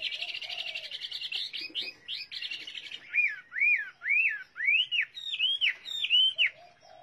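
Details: Chinese hwamei singing: a varied run of high warbled phrases, then a string of loud, clear whistles that rise and fall, each repeated about twice a second.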